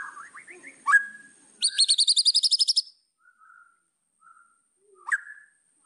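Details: White-rumped shama song used as a master track to provoke rivals: soft rising whistled notes, a sharp upslurred note, then a fast burst of about twelve high, ringing pulses, followed by quiet gaps and one more sharp note.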